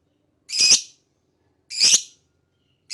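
A lovebird gives harsh, shrill, screechy chirps, each about half a second long, repeated roughly every second with quiet between them.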